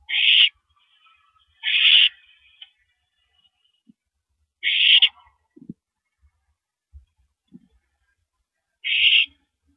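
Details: Owl on the night of 13 April 2012, 9:17 PM, as a mouse is delivered: four short, harsh hissing screeches at irregular intervals, with light thumps and rustles between them.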